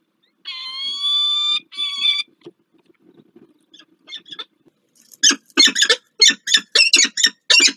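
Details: Peregrine falcon at the nest on Warsaw's Palace of Culture and Science, Poland, during morning changeovers on 2 April 2023: two sustained nasal wails, a quiet pause with soft notes, then rapid harsh chattering calls in quick bursts.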